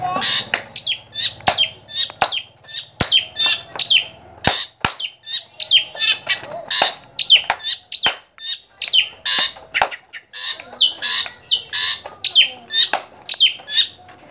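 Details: Javan drongo, a rare bird, calling: a rapid busy run of sharp chips, whistled notes and harsh buzzy bursts, repeated in quick phrases with loud clicks between them.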